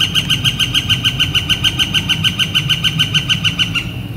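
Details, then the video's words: Northern flicker in spring, late April, warm clear weather: a long, even run of loud ringing wick-like notes, about three per second, ending abruptly, over a low steady rumble. "Northern Flicker Calling and Drumming"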